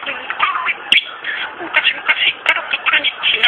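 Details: A pet talking budgerigar recites the Momotaro fairy tale in rapid, buzzy mimicked speech, high and raspy, with quick syllable bursts and brief clicks running continuously.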